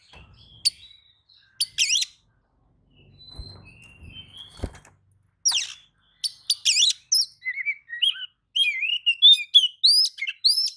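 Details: Oriental magpie-robin reacting to another magpie-robin's song: a few scattered sharp notes and soft whistles, then a lively stream of rapid chattering and rising whistled notes in the second half.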